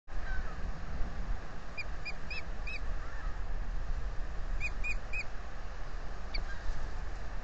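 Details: Wild osprey pair at a nest on Salt Point, 15 April 2020, male offering to take over incubation, female declining; nest-camera microphone. Two short bursts of quick, clipped, downslurred chirps over steady low wind rumble.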